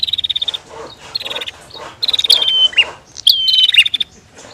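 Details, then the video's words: Female and male bar-winged prinias calling: rapid, buzzy ticking trills alternate with sharp high whistled notes that slide down into a short lower dip, repeated about once a second, with faint background chatter. "Suara Prenjak betina VS Prenjak Jantan"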